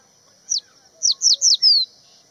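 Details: Crested bunting on Haidakhan Road, calling and singing a brief, high phrase: a thin down-slurred note, then three quick similar slurs and a longer falling whistle to finish, in quiet surroundings.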